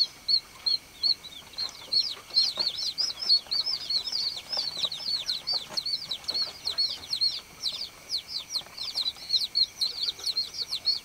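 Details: Three separate shrill peeps from baby chicks open, then many chicks join in a dense, overlapping run of high, downslurred chirps that continues to the end.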